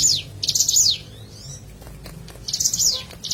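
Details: Lure recording of a natural hill prinia (ciblek gunung) sound: sharp, buzzy high chatters falling at their ends, two groups separated by a quiet gap with a soft sliding note.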